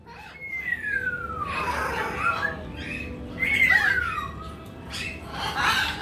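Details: A male pet bare-eyed cockatoo (little corella), described as a laid-back, quiet bird, gives two long, harsh screeching calls, each sliding downward in pitch, about three seconds apart, over faint background noise.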